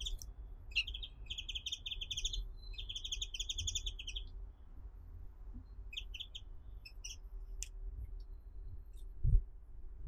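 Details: Brown-eared bulbul seeming to say something: bursts of rapid, buzzy chattering notes run for about a second at a time, then shorter clipped chirps follow, over a steady low background hum.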